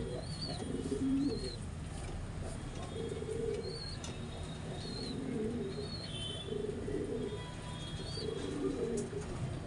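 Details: Pigeon cooing during mating: low murmuring coo phrases every second or two, with brief high chirps from another bird scattered over a humming background.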